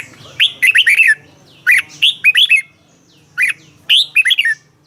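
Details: Song of a caged Red-whiskered bulbul from Thailand, used for training or to excite birds. Four crisp phrases, each a quick string of slurred, downward-hooked whistles, separated by short pauses.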